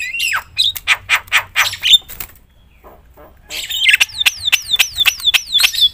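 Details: Loud Javan myna song used to excite other mynas: harsh buzzy bursts and clicks, a quiet gap, then a run of falling whistled sweeps repeated rhythmically.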